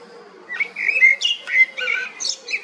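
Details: A common blackbird delivers a short song phrase of warm, fluted whistles that break into a higher, scratchy chirping ending.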